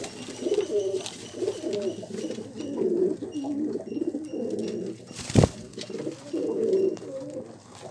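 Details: Pigeon coos repeatedly in deep, burbling phrases that rise and fall, broken by one loud thump midway before the murmuring resumes.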